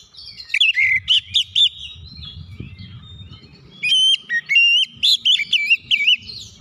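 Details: Oriental magpie-robin song meant to provoke reluctant birds: two phrases of loud, looping whistles with a few clean, steady high notes, over a faint low background rumble between phrases.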